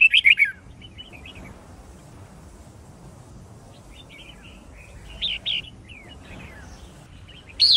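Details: Red-whiskered bulbul fighting song for song training: brief, widely spaced phrases of sharp whistled notes, with quiet gaps between them and a soft background hiss.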